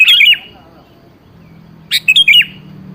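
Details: Sooty-headed bulbul song used as a lure to make a seldom-singing bird answer: two short bubbly, warbled phrases, the first at the start and the second after about 1.5 seconds of quiet, with a faint low hum beneath.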